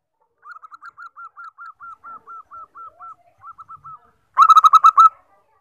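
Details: Zebra dove of the widespread 14-tail-feather kind, common in forest and group keeping, used for luring and as a tutor. It gives a soft series of regularly spaced, hooked mid-pitched notes with brief gaps, ending in a sudden loud, rapid, rich-toned flurry.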